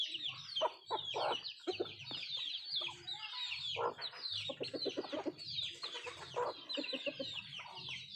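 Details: Nattu kozhi (country chickens) eating food: low, pulsed clucks in short bursts mix with many high, down-slurred peeping chirps that run through the whole stretch, over a steady low hum.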